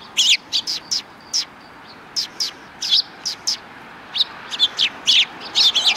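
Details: Several sparrows in front of a Tenmangu shrine, 13 December 2019, calling in loud bursts of sharp high chirps, grouped in clusters with short gaps, growing busier toward the end.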